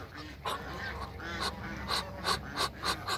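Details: Hybrid Cayuga and Muscovy ducks in a backyard give short, harsh, raspy calls in quick bursts, about three per second, over a steady high hiss.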